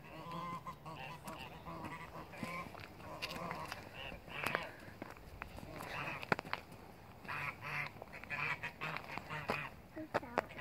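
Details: Geese calling together in a dense, overlapping chorus of nasal honks and cackles that runs without pause across the whole stretch, with many birds sounding at once against a steady murmur of background noise.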